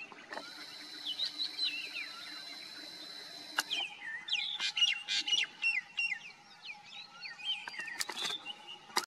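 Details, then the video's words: Common myna, also called Indian myna, singing: a varied jumble of short whistled slurs, sharp clicks and squawky notes rising and falling in quick bursts, following a steady high hiss in the opening seconds. "The common myna Song / Indian myna Singing"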